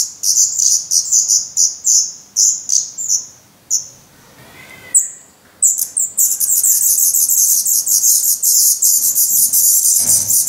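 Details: Nest of Black Redstart nestlings in Portugal, May 2020, chicks hungry and shedding down; separate sharp high begging notes quicken, pause briefly, then swell into a loud, unbroken hissing chorus with fast repeated chirps.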